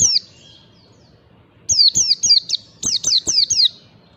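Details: White-eye song used as a lure to teach caged birds the ngalas style: an opening falling whistle, a pause, then a lively series of about nine high, sharply descending notes in two close bursts.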